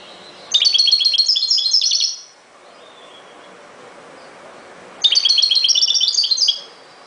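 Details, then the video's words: Two long phrases of bright, jingling twitter from a European goldfinch, each about one and a half seconds of fast, high, chattering notes with a quiet gap between. "chant de chardonneret"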